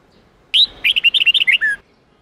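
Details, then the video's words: Sông Kôn red-whiskered bulbul in a voice-training recording of the 8-9-10 note song style: one clean, loud phrase of about eleven quick whistled notes, rising and falling, finishing on a longer descending slur, otherwise quiet. "Luyện giọng chào mào hót hay âm 8-9-10"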